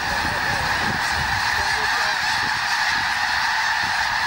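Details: Massed snow geese calling as they take flight over Fir Island, Washington, in February, startled by an eagle; steady, dense roar of countless overlapping honks with no pause, a few clearer calls standing out.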